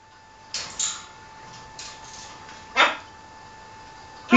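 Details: Macaw kept as a pet, squabbling with its owner indoors: two loud grating squawks, a softer rasp, then a sharp harsh burst and another at the end, over a constant electrical hum.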